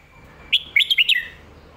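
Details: In the 'lak wai' or 'mae bot' song style, a red-whiskered bulbul gives a crisp single note, a short pause, then three to four quick ringing whistles slurring downward at the end.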